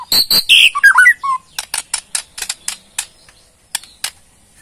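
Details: Borneo white-rumped shama opens with harsh buzzy notes and a short warble, then a loose string of dry clicking rattles, its ketrekan call used to provoke a reply.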